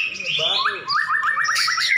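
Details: Caged champion white-rumped shamas in a duel: buzzy, mixed notes, a short pause, then a quick, evenly spaced train of repeated rising chips ending in a whistle.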